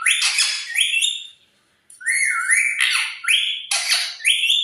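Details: Talking parrot giving loud, harsh screeches that slide upward, a short pause, then repeated rising whistled squawks in quick succession.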